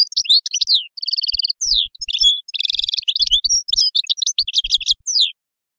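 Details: European goldfinch singing: a fast tinkling stream of high twittering notes, quick downslurred chips and short buzzy trills, nearly continuous for five seconds, with faint low knocks behind.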